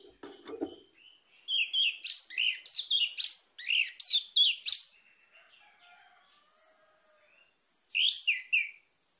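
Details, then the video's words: Orange-headed thrush pours out a fast series of loud, sharply descending whistled notes, about three per second, then a quieter stretch of thin whistles before a final burst. "ANIS MERAH MACET AUTO GACOR"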